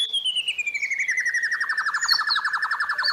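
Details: Training master song of the White-rumped shama with fill-ins: one continuous fast trill, about four notes a second, gliding slowly downward in pitch across three seconds.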